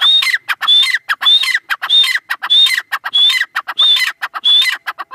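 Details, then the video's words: Female grey francolin (teetar) calling in a loud, harsh, rhythmic series. Each phrase opens with a thin, high, rising whistle, then scratchy chattering notes. Phrases repeat about every 0.6 seconds with short silent gaps. No other sounds. "Irani Teetar ki awaz | Desi Teetar voice | gray francolin teetar sound | Female teetar awaz"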